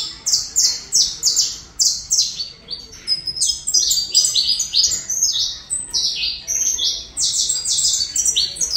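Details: Song of a Colombian saffron finch: crisp, high notes repeated in a steady rhythm at first, then breaking into a busier, overlapping chatter of bright tweets before returning to spaced chirps.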